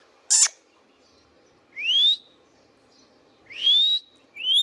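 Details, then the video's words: Pet Indian ringneck parakeet giving two clear rising whistles, each sweeping upward over about half a second, with a sharp high click at the start and a third whistle beginning at the end. "Indian Ringneck parrot natural sounds | Ringneck parakeets sounds video"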